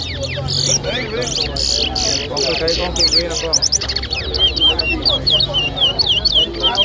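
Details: Guyanese towa towa singing during a 2023 whistling contest at Lusignan: choppy chattering bursts give way to a run of clear, evenly repeated upslurred whistles, with crowd noise underneath.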